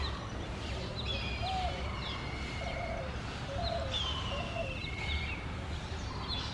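Hair-crested Drongo giving thin, drawn-out whistles and short, low, clucking notes over a steady low rumble of background noise.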